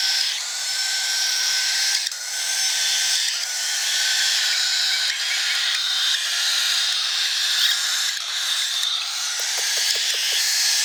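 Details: A baby cockatiel being hand-fed in March 2021 gives a continuous harsh, buzzing rasp while begging for food.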